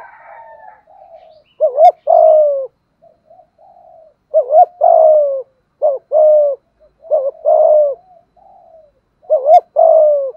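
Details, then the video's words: Repeated 'thúc gù' cooing from a Malaysian spotted dove: around six phrases of a brief double-humped note leading into a drawn-out low coo, separated by soft, muffled murmuring notes. "Tiếng chim cu gáy thúc gù, cu gáy malaisia gù thúc bài bản, chim cu gáy thúc gù bài bản"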